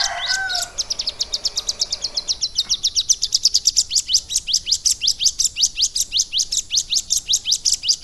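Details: After a few lower opening notes, a caged Bar-winged Prinia, trained over three months with a lovebird-style fill, settles into a long, even series of sharp, high upward-sweeping chirps, roughly three each second.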